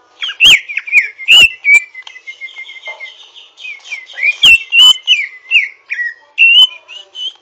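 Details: Greater green leafbird (Chloropsis sonnerati), a young learner twittering roughly while practising its song: a busy run of slurred whistled notes and sharp chips around the upper-middle range, bursts of loud clicks between phrases.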